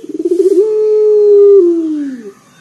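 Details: Local collared dove with a loud deep voice, kept to lure other doves: quick pulsing notes swell into one long, smooth, low coo that slowly falls away.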